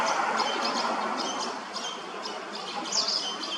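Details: Common linnets (Linaria cannabina) of a late brood under a bridge in Hrodna, western Belarus, on 12 September 2025, with the male still feeding full-grown fledglings. They give short, high chirps in quick repeated bursts over steady wind-like rushing.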